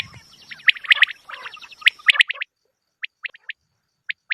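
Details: Quail sounds from a hunting lure recording. Dense clusters of short bright chirps over a thin steady tone give way to spaced single clipped notes against silence.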